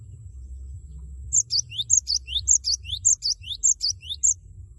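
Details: Cinereous tit in full song, loud and meant to prompt a rival to join in, 'wucit wucit': after a second of quiet, about six crisp high three-note phrases repeat steadily, roughly two per second.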